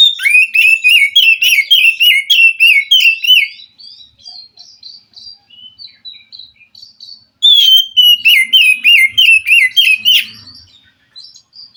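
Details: White-rumped shama from the forest responding to a reluctant caged bird: two long runs of loud, rhythmic warbled phrases about three per second, separated by softer scattered whistles.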